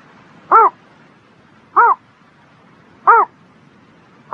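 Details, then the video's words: A bird heard on a spring morning gives short hoarse arched notes about every 1.3 seconds, three complete and a fourth cut off at the end, over a quiet background. "Singing Bird in the Spring Morning"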